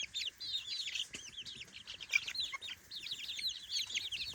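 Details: A flock of three-week-old baby chickens exploring their pen during the day, chirping continuously in shrill, wavering peeps that overlap into a steady, high chatter.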